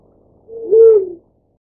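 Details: Single low, mellow hoot from a black-chinned fruit dove, swelling into a steady sustained tone lasting under a second before fading, in otherwise quiet surroundings.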